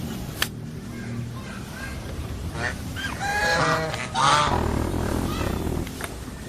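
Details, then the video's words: A few goose honks rise from a noisy, rumbling background, the clearest two harsh nasal calls coming close together midway, with fainter calls around them. "Funny GEESE SOUND / Suara Binatang Lucu ANGSA Soang"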